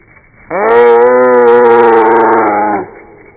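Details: A Blue Jay calls once on arriving at a bird feeder during a nor'easter snowstorm. The call is slowed eight times into a deep, steady, dinosaur-like moaning bellow lasting over two seconds.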